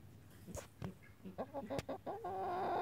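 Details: Chickens foraging for fly larvae, worms and other bugs while turning over horse manure, giving a run of short, low, throaty clucks in uneven bursts, followed by a rising rush of broadband noise at the end.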